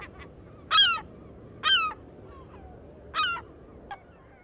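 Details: Herring gull call recorded in Maine: loud, harsh, nasal calls with a falling tone, three strong notes about a second apart plus a fainter one, over a low background hiss.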